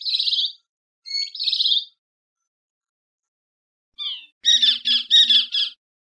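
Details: Great kiskadee calls: harsh, nasal, buzzy notes in twos, a silent gap, then a quick run of four or five rasping, squawky syllables, the last ones loudest, with nothing else in the background.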